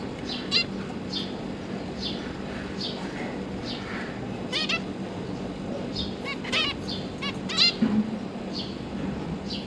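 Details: A zebra finch family of two parents and three juveniles just out of the nest, recorded 31 October 2022 during feeding. Scattered soft nasal calls, a few louder clustered notes midway, over a constant low hum.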